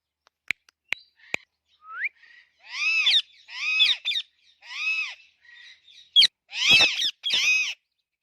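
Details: Three sharp clicks and a rising whistle, then an Alexandrine parakeet gives a string of five or six loud arching screeches, rich in harmonics, spaced under a second apart.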